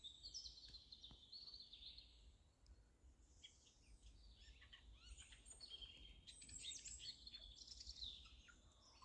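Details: Funny singing of a Eurasian jay, said to sound like a child's laugh: a busy medley of whistled notes, scratchy chatter and sharp clicks, rising and falling in pitch, fairly steady throughout over soft low background noise.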